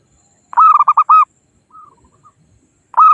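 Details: Local zebra dove calling to rivals, used as a lure for trapping: a loud burst of five rapid mid-pitched cooing notes, a softer distant reply of descending coos, then another loud phrase starting; a faint steady high whine underneath.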